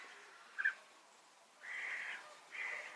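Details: European bee-eater "prüt" contact calls passed between birds as an all-is-well signal; a short sharp note followed by two longer rolling, purring calls about a second apart.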